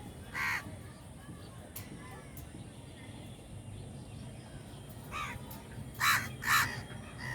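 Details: Crows in a crowd give scattered harsh caws: one early, then a long pause, then a softer call followed by two louder caws close together near the end. A steady low rumble sits underneath.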